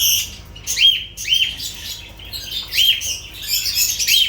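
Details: Loud high chirps with a rising-and-falling arched shape are repeated several times by lovebirds over a continuous bright chatter.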